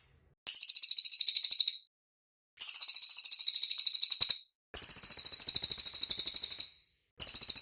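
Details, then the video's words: Cililin bird trilling in rapid, high-pitched pulsed bursts, each lasting one to two seconds and fading slightly toward the end. The bursts repeat after brief silent pauses, with no other sounds heard. "BURUNG CILILIN SUARA MANTAP, BERSIH, DAN JELAS"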